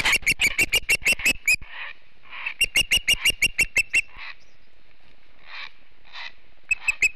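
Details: Osprey, a female at a nest in Montana, chasing off an intruder that was not another Osprey, 3 August 2016: rapid series of sharp, high whistled chips, about three per second, in bursts separated by pauses.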